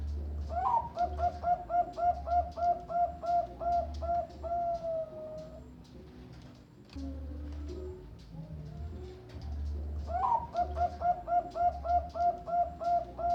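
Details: Bangkok-type zebra dove bred at a bird farm in Kediri, singing: a rising opening note followed by a long, even string of soft mellow coos, a pause, then the phrase starts again; low steady hum underneath.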